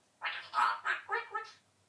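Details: Pet eclectus parrot, 11 months old, chattering after being asked for a tiger sound: a quick run of four or five harmonic, speech-like syllables lasting about a second and a half in a quiet room.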